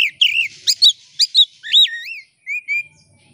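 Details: Oriental magpie-robin, lively singer opening its tail, a lure to trigger singing in other magpie-robins: sharp clipped chirps alternating with bending, wavy whistled notes, then two level whistles after a short pause, against a quiet background.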